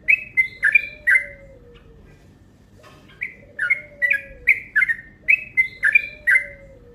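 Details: Rapid yellow-vented bulbul lure call meant to provoke: a short burst of bright chirps, a two-second gap, then a dense run of about nine slurred notes, with a quiet low gliding tone in the background.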